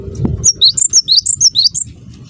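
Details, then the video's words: A low thump, then a cinereous tit's lure call, used to provoke answers from others of its kind: eight quick, piercing two-pitch whistles with a steady back-and-forth rhythm over a faint low rumble. "semua gelatik bakal NYAUT dengarkan suara ini"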